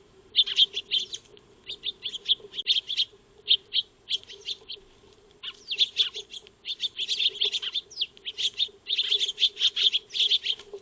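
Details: Eurasian tree sparrows feeding in a backyard, filmed by a motion-triggered wildlife camera on 02-03-2025, chatter in busy bursts of short, harsh chirps, several birds calling over one another, with a steady low hum underneath.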